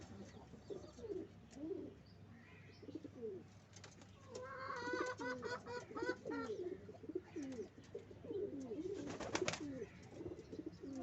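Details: Pigeons at the nest during nest making, continuous low bubbling coos in repeated rolling phrases, overlapping callers, with a short run of higher harmonic chirps midway and a loud flapping burst near the end.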